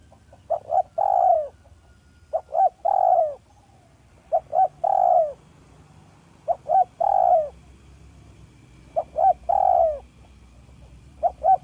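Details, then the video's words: A spotted dove (village turtle dove) in good voice gives soft, smooth, clear mellow coos used as a lure call: two quick short notes, then a longer rolling coo, the phrase repeating roughly every two seconds against a quiet background. "Dekukur kampung yang gacor || SUARA HALUS DAN JERNIH PEMIKAT ANDALAN"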